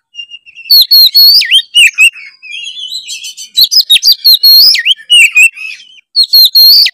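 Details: White-rumped shama song used to stir other birds into singing: rapid varied phrases of sweeping whistles, sharp chips and harsh buzzy notes, delivered in quick bursts.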